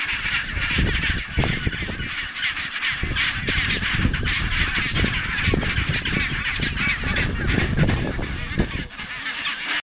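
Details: A dense chorus from a noisy chinstrap penguin rookery, with harsh honking and braying calls overlapping without pause and a steady low rumble underneath.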